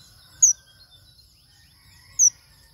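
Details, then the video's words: Male manh manh bird, agitated and singing vigorously, utters two short, piercing, very high chirps nearly two seconds apart over quiet low-level noise. "Chim Manh Manh | Manh Manh Trống Kích Bổi Cực Xung"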